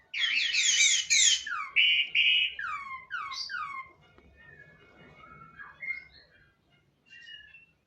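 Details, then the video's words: Orange-headed thrush giving loud, dense whistled phrases, then a run of repeated descending slurred notes. The song fades into softer, thin whistles against a faint low murmur. "burung anis merah"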